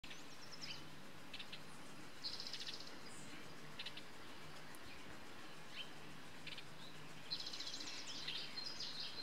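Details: Costa's hummingbird gives short, very high, thin ticking chips, single or in quick pairs, plus a few brief buzzy bursts, scattered irregularly over a steady low hum.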